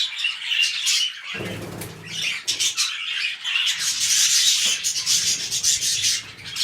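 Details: Pet budgerigars mating, starting a new breeding cycle: dense, fast, buzzy warbling and chirping runs on without pause, with a burst of low wing-flapping or rustling thumps early on.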